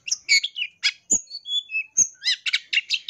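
Long-tailed shrike song: a rapid, varied medley of harsh chattering bursts, clear whistled notes and sharp mimicked phrases, densely packed with almost no pauses.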